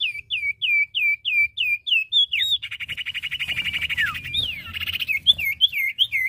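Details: Common iora pair, male and female, calling vigorously: a series of repeated curling whistles, then a dense buzzy trill with a falling whistle, ending in more looped whistled notes.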